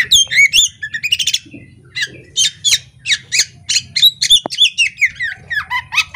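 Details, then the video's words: Oriental magpie-robin female of the poci type, chattering and fanning its tail, pouring out quick sharp chips, squeaky notes and slurred whistles in rapid, irregular succession over a faint low hum. "Kacer betina ngobra buka ekor ini"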